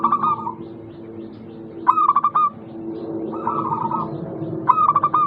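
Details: Local zebra dove (perkutut) song meant to coax silent doves to sing: four short phrases of stuttering notes and rolling coos over a steady low background hum.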